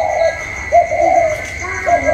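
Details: Spotted dove kept as a caged decoy, cooing in contest with a wild bird on 27 October 2022; three mellow, hollow coo notes with a fainter answering coo beneath, steady background hum.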